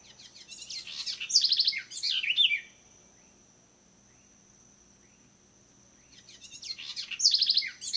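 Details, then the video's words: Birds singing in the early morning in Suriname on 7 October 2017: bursts of quick, bright, twittering notes at the start and end, separated by a long, steady, thin high tone held for several seconds. "De vogeltjes zingen mooi in de vroege ochtend in Suriname"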